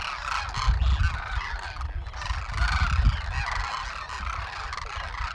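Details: Demoiselle Cranes wintering in a huge flock near farmland and villages in Rajasthan, India; many birds call at once in a continuous mass of harsh, rolling trumpets, partly masked by heavy low-pitched rumbling.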